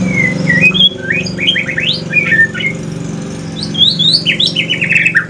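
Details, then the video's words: Aceh male white-rumped shama delivering a chatty pastol-style song: a long whistle, then quick series of steep rising notes and rapid bright chattering phrases, with a steady low hum behind. "Kicauan sore hari murai mutasi ke pastol si paling cerewet"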